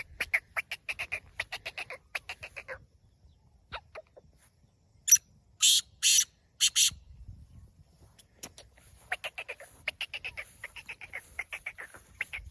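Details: Black francolin, a kept bird let out to roam free for an hour or two, gives quick runs of dry, clicking notes, then several loud rasping bursts midway, before another rapid series of harsh ticking calls.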